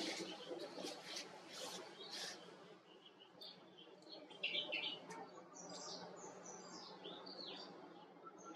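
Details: White-cheeked or Himalayan bulbul giving short, bubbly chirped notes in two bursts near the middle and end, over a steady hiss of background noise with some scattered clicks early on.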